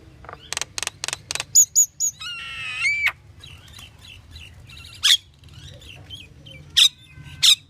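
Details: Pied myna giving a varied series of calls: rapid buzzy repeated notes, a harsh descending rattle-like phrase, then sharp high squawks spaced apart, with quieter chatter between.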